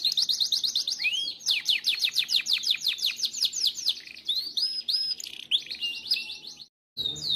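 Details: Timbrado canary singing a powerful training song meant to teach other canaries: fast series of downward-sweeping whistled notes and buzzy trills, repeated rapidly with shifting pitch, then a short break before singing resumes.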